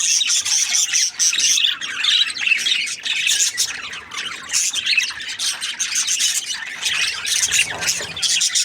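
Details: Budgerigar group chirping: rapid squeaky warbles and sharp high chirps overlap almost nonstop, dipping briefly around the middle before resuming.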